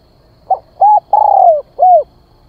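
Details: Spotted dove calling as a decoy to lure other birds. A single soft phrase: a short clipped note, then a rounded coo, a long purring coo that drops gently, and a last rounded coo.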